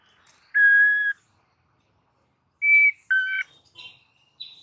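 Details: White-rumped shama singing an aggressive master song meant to ready other birds for fighting: long, clear, steady whistled notes separated by pauses, with brief higher chips between them.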